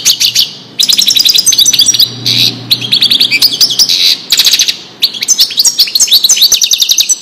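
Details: European goldfinch delivering Wadani-style song for training chicks: nearly continuous bright, chattering twitter broken by brief gaps, with mixed sharp chirps and trills over a faint low hum.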